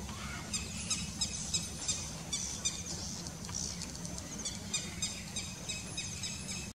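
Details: Red-wattled lapwing (Vanellus indicus) chick, 15 August 2021, giving thin, very high peeps, about three a second, over a steady low rumble of background noise.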